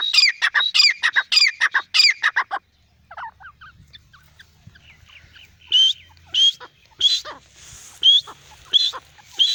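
A francolin gives loud, harsh, rapid notes in quick bursts, then shrill, high, rising whistles repeated about every second after a brief quieter gap.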